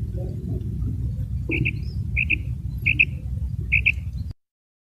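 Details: Common quail sounding four quick bright double notes over loud low rumbling background noise that cuts off abruptly near the end.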